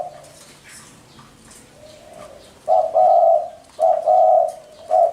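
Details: Spotted dove starting with soft, muffled coos that swell into strong, rich paired hoots roughly every second, over a light background of faint high bird twitters.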